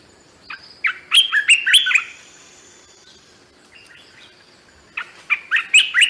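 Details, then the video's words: Olive-winged Bulbul, a forest and tree-dwelling bird of parks and nature reserves, gives its melodious call: a short phrase of a few bubbly, warbled notes, repeated often after pauses. "As you can hear, it's a very melodious sound consisting of a few notes that they repeat it quite often."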